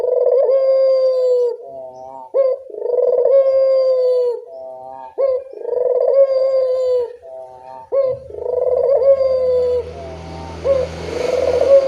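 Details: Barbary dove cooing at dusk as a lure for doves that rarely call: repeated rolling, purring coos, each opened by a short upward note, about five phrases, with a low rumbling noise creeping in near the end.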